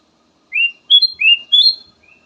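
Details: Short kutilang emas phrase from a soothing lure song: four clear whistled notes, rising and stepping upward, ending in a soft trailing note.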